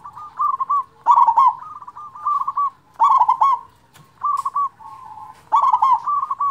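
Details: Local zebra dove with a big voice, singing to stimulate lazy zebra doves: short runs of clipped cooing notes alternate with emphatic rolling bursts, separated by brief pauses, over a quiet low rumble.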